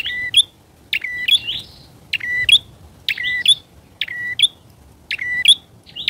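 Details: Bar-winged prinia lure bird calling: sharp, piercing chirps in pairs and singles, a flat high tone ending in a sharp upward flick, spaced about a second apart over near silence.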